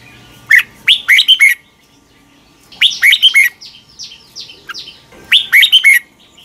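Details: Red-whiskered bulbul singing a fired-up morning training song: short lively phrases of four or five ringing whistled notes with brief pauses, and softer descending sweeps between phrases.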